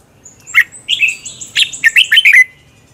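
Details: Red-whiskered bulbul giving its morning 'hót đấu' competition song as a training lure: a sharp opening note, then a lively string of seven or eight rapid, liquid whistles that slur downward at the end.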